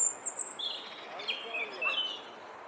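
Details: A European robin in the Flower Walk sings against a rival that answers from a short way down the path, giving a brief run of thin, high, wavering notes that slide and change pitch, with soft background noise.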